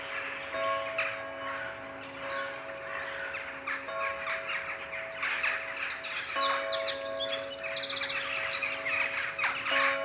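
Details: Daily evening gathering of jackdaws above Ringenberg with the 19:00 church bells sounding; a busy mass of scratchy overlapping calls that grows denser and louder, bell tones pulsing steadily underneath.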